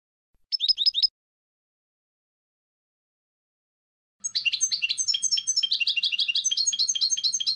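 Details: Goldfinch song: a brief burst of four quick high notes, a pause of about three seconds, then a rich, fast twittering of tinkling, buzzy notes running on to the end.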